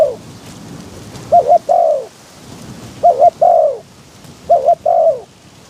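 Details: Caged decoy spotted dove luring wild doves during trapping, wind blowing strongly. Three full phrases plus the tail of one at the start, each a quick two-note coo then a longer sliding coo, over a continuous rushing wind.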